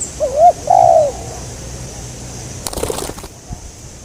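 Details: Spotted dove during a bird-trapping outing: a single two-part coo, a short wavering note then a longer falling one, followed by a brief rattling clatter and quiet background.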